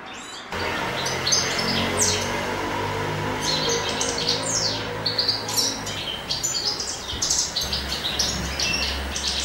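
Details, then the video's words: Male European goldfinch singing in spring, in love and courting; a lively run of fast, bright twittering and tinkling high notes starting after a short pause, with a steady low hum underneath. "Canto di cardellino in amore"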